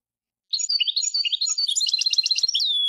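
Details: Khali al-alam style song of a European goldfinch, a lively stream of varied tweets that speeds into a rattling, repeated trill and ends in a smooth falling whistled note, clean and without background noise.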